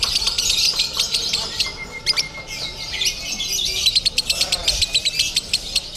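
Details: At a Bandung singing contest in Indonesia, a lovebird in konslet style gives shrill, dense chatter, fading briefly mid-clip before rapid ticking pulses return, over a thin steady whistle-like tone and faint crowd noise.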